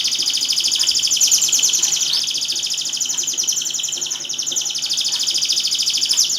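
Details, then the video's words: Canary song used to prompt silent canaries to start singing: a continuous high, rapid trilling warble with fast repeated notes and rolling tours, steady and loud throughout. "BURUNG KENARI GACOR // KENARI MACET LANGSUNG BUNYI"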